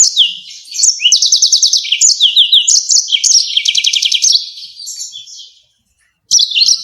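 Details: Yellow-fronted canary giving its sharp rolling song, used to tutor other songbirds: long rapid trills of evenly repeated high notes mixed with whistled slurs, tapering off, a gap of silence, then a fresh phrase.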